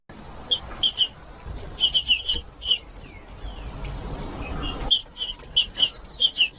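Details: Green-winged saltator singing, a recording meant to warm up other saltators and train young birds: bursts of short bright notes in quick clusters, some pairs and triplets, separated by pauses, with a faint steady high hiss behind.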